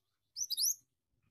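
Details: Short burst of a Pied Triller's rolling song, sung in the gacor ngeroll style: a few fast, high, upslurred whistled notes run together in under half a second.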